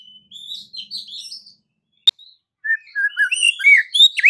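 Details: White-rumped shama (murai batu) song used to rouse other shamas: thin high warbling, a sharp click, then a quickening run of clear whistles and twittering notes.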